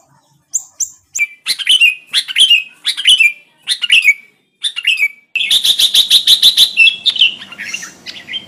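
A bulbul gives bright, bubbly chirps in short bursts about every half second, then a faster run of rapid notes. No other sounds are heard.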